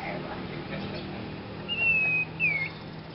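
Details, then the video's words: Strange-sounding song of a novice young Sirpu: a long, pure whistle held nearly level and falling slightly, followed by a shorter downslurred whistle, with low hum underneath. "Kicau Burung Sirpu pemula Bersuara Aneh"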